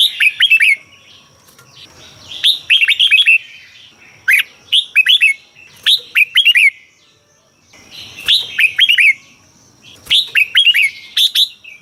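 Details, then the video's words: Red-whiskered bulbul song from Thailand, a caged bird recording for rousing other caged birds: repeated cheerful phrases of four or five liquid whistled notes, each phrase about a second long, every two seconds. "เสียงนกกรงหัวจุก สำหรับต่อ หรือ เปิดให้นกคึก เสียงเพราะๆ"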